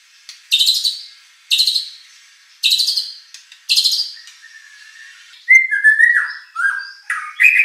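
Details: White-rumped shama competition song meant to provoke another bird to reply: four loud harsh bursts spaced about a second apart, followed by clear varied whistled phrases sliding down and up.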